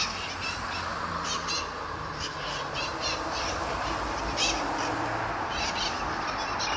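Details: A flock of mitred parakeets in Sunnyvale, 11/04/2020, keeps up a dense run of shrill, raspy calls from many birds, rising and falling in clusters above a loud, steady hiss of background noise.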